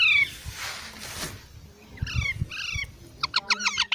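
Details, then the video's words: Parrot chicks squawk: one falling screech, a hissy pause, two harsh downward-sliding calls, then a rapid chattering run of short clipped notes. "Baby Parrots Sounds"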